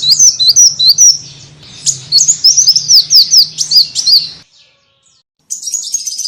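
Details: Lure calls of a small bird, meant to draw in other small birds: quick, high twittering chirps in a steady stream for about four seconds, then silence, then a thin high trill at the end, with a faint low hum.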